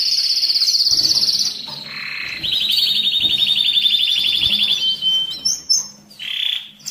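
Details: Canary song meant to excite birds before breeding: a long high rolling trill, a lower buzzy note, then a rising fast trill and scattered high chirps.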